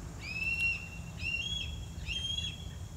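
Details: A young Red-tailed hawk (Buteo jamaicensis) in trees on a farm in August, recently pushed out of the nest, cries to its parents for food with three drawn-out, high, thin, level whistles about a second apart over a low rumble.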